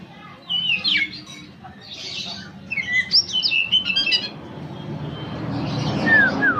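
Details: Pet kacer (Oriental magpie-robin), a favourite kept bird, sings in the morning while its owner drinks coffee. Short whistled, slurred phrases come in bursts over steady low background noise, with a pause midway and a falling whistle near the end.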